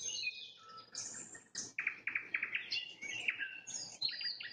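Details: Sunset song of a nightingale: high swooping whistles, then a rhythmic series of loud, clipped notes repeated several times a second, ending in quick chattering trills.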